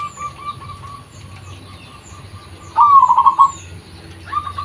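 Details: Zebra dove, local bird, lure recording: after soft background cooing, one loud phrase starts with an upslurred note and breaks into quick bubbling coos, then a new phrase begins; high thin bird chirps above.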